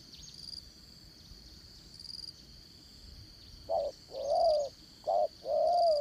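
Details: Spotted dove decoy used for trapping, with a 'dán cổ' style and 'đồng son' voice. After a quiet start it gives two-part coos late on: a short low note and then a longer one. A steady high insect drone continues throughout.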